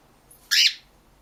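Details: An angry pet cockatiel in a bad mood gives one short, harsh, hissing squawk of annoyance.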